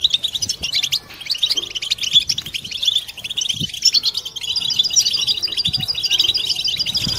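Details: European goldfinches twittering together in a 'butbata' chorus to stimulate birds toward mating song. Steady stream of quick, bright chirps and trills with a thin buzzy note around four to five seconds and faint low thumps.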